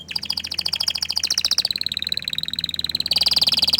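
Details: Orange frost canary delivering fast, evenly pulsed trills, first bright and stepping, then a steadier rolling tour, ending in a louder rapid trill.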